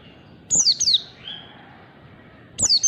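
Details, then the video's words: Two short bursts of piercing, falling whistles from a white-eye in the ngalas style, separated by about two seconds of quiet hiss. "MEMANCING PLECI BELAJAR BUNYI CEPAT NGALAS"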